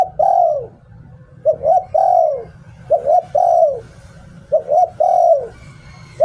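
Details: Decoy spotted dove singing 'Liu Tan' song, repeated soft cooing phrases roughly every one and a half seconds, each a double short coo followed by a long rounded coo that falls away, against a low steady background hum.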